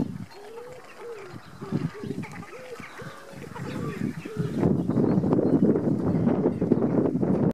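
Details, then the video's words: Cinnamon teal during courtship, a quick string of low, hooked nasal notes for about four seconds, then covered by loud broadband rushing noise, like splashing or wind. "Cinnamon teal courtship"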